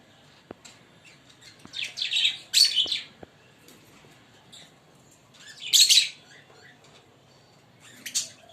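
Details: A green pair of Fischer's lovebirds chirping, giving scratchy high chirp clusters at irregular intervals, the loudest burst near the middle, with a few soft clicks in between.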